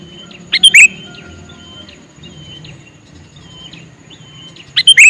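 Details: A male sooty-headed bulbul calls with a short bubbly phrase, then soft distant bird whistles are heard before a second phrase begins at the end.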